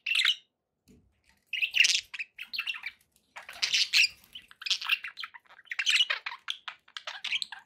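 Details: Budgies in a home setting give a sharp opening chirp, then bouts of rasping, twittering chatter with squeaky notes, broken by short pauses.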